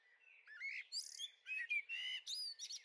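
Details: A brief, busy burst from young blackbirds in a garden on the Veluwe, Netherlands, 30 April 2014: slurred whistles and buzzy, high squeaks tumble together in quick succession.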